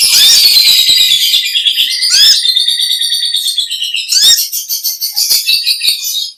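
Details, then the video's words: Long, unbroken 'ngekek panjang' chatter of an olive-backed sunbird: dense, shrill twittering holds high for several seconds, broken by brief downward swept notes. It then settles into fast repeated ticks. "Original sound konin kolibri ninja suara lb ngekek panjang gacor"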